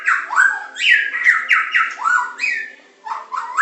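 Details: White-rumped shama of the Medan type singing a masteran in super pancingan, macet, tembakan and isian style: rhythmic repeated whistled phrases, each dropping sharply in pitch, roughly three per second, then a brief gap and rising notes.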